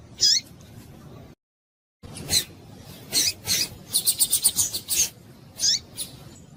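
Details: Calls of a female double-collared seedeater, aimed at making males sing. A high dropping chirp opens, then after a short gap comes a fast run of dry, rasping clicks and bursts, with another falling chirp near the end.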